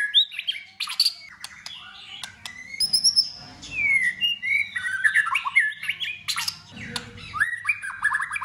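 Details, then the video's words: White-rumped shama in competition singing, varied many-voiced song kept going in cold season: rich, fast sequence of whistled slurs, rising and falling sweeps and sharp high clicks, nearly continuous throughout, with faint low hum beneath. "Chòe Lửa hót căng tạch đập đuôi sổ nhiều giọng. kích chòe Lửa hót đấu. giữ lửa mùa lạnh chòe Lửa hót"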